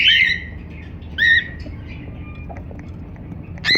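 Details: Pet cockatiel chirping: loud, sharp squawked notes with a quick rising-falling twist, three bursts spaced about a second apart with quieter faint chatter between them.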